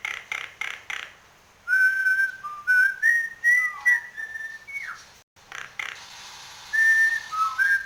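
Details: Nias hill myna in full song, nodding its head: harsh, rapid pulses open, then a clear, whistled phrase of level and slurred notes at shifting pitches, another burst of rasps, and a final whistled fragment.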